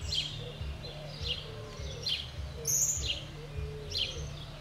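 Fork-tailed flycatcher giving sharp, high, scratchy notes about once a second, over a steady low rumble of background noise.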